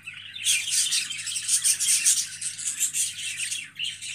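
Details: Budgerigar chatter starts after half a second, then pulses as quick repeated chirps and squeaks, with a faint hum underneath.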